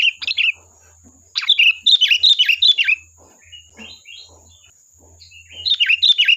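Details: Sooty-headed bulbul song used to lure a reply, lively runs of rapid chirpy, bubbling notes in quick series, with soft chattering notes between the bursts and a thin high hum behind.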